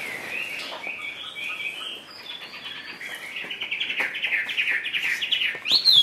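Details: Chinese hwamei in a cage delivering a fast, busy stream of high warbling notes and trills, building louder and ending on a sharp upward whistle, with faint ticks in the background.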